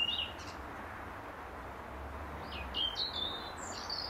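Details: European robin in an apple tree at dusk, singing to hold its territory; short high trilled and twittering phrases separated by pauses, fairly faint over steady low background noise.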